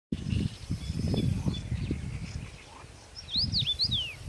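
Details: Common rosefinch singing in May 2018 at Stawy Pietkowskie, Podlasie, Poland: one brief phrase of clear, slurred whistles swooping up and down near the end, over loud, low rumbling pulses and faint high chirps.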